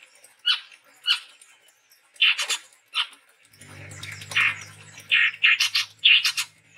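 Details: Male chestnut-rumped babbler from the Sumatran forest singing steadily: short sharp chirps spaced about half a second apart, later denser bursts, over a low steady hum.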